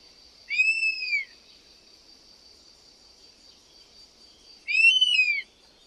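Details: Two clear, plaintive whistles from a European honey buzzard, each an arched, rise-and-fall note of under a second, spaced roughly four seconds apart against a constant thin high hum.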